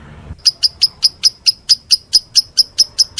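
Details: A lovebird's meloloh call begins after a brief low rustle: bright, sharp high ticks repeated about four times a second in a steady beat.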